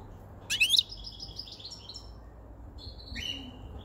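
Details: White-chinned male European goldfinch in a cage, captured five months earlier, singing close to spring as breeding condition begins: a sharp rising twitter, then drawn-out buzzy tinkling notes, a pause and another tinkling phrase.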